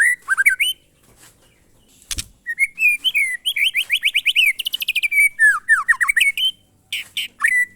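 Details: Singing White-rumped shama in the glondong or monotonous style: clear whistles, then a long, fast series of repeated rising whistled notes, ending in falling slurs and a last whistle; a single knock partway through.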